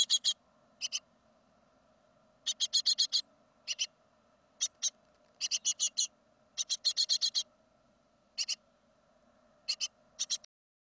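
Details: Great tit fledglings of a second brood, recorded at fledging in 2016, give harsh, hissing bursts in quick irregular clusters of two to six, with short pauses between, over a steady low hum.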